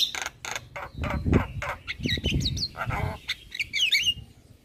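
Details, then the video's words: Javan myna from a master recording meant to make other birds sing along: loud, rough, noisy chatter bursts, then a run of quick slurred whistles and squeaks near the end. "Jalak kebo Gacor Parah Bikin Burung Lain yang Dengar Ikut Bunyi"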